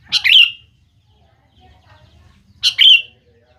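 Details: Sooty-headed bulbul song played as a lure so young birds respond: two loud, brief phrases over two seconds apart, each a burst of notes falling into a short clear whistle.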